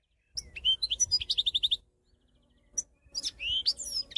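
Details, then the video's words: Lively goldfinch song: a tumbling series of high, liquid twitters and clear repeated notes, a short gap, then more slurred, rising chirps. "ساعة من تغريد الحسون 1H de chant chardonneret / Cancion Jilguero 1H"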